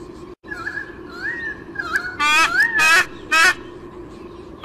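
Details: White-bellied sea eagle chick on its nest in Olympic Park, Sydney, Australia, recorded by a nest camera on the morning of 30 July 2016: loud, harsh, honking calls with rich overtones, rising and falling in quick bursts over a steady background hum.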